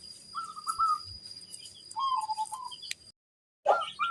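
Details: Local zebra dove, sung as a lure to prompt other zebra doves to answer: two quiet, quavering trilled coo phrases, the second falling slightly, followed by a brief gap and a louder burst.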